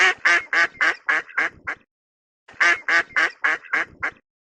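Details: Duck uttering two matching runs of about seven harsh, nasal quacks, each run starting loud and tapering off, separated by a silent gap of under a second.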